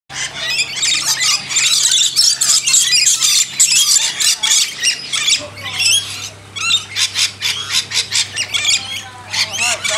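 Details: Lorikeets being hand-fed in a backyard: a dense, nonstop chorus of shrill, harsh screeches and chattering squawks from many birds overlapping, with a steady low hum underneath.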